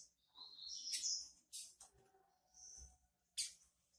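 A female double-collared seedeater gives high, thin sweeping 'tui' notes and sharp chips in short bursts, soliciting mating; a faint low hum lies underneath.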